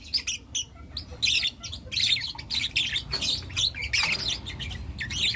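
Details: Four young lutino lovebirds calling in the morning; busy stream of shrill chirps and scratchy squeaks, bursts crowding together with brief gaps, faint low room hum beneath.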